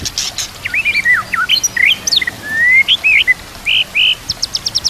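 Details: White-rumped shama (murai batu) song, used as a master for training other murai batu and mixed with nature sounds and trickling water: varied sliding whistles and rising slurs, one long upslurred note, then a quick series of short sharp clicks at the end.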